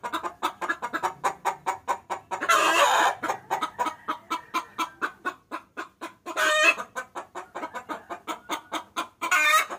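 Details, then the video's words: Hen calling to a rooster, a luring sound: long run of brisk, throaty clucks with three harsh, louder squawks spaced through the sequence, the final one at the end. "Suara Pikat Ayam Betina Memanggil Jantan"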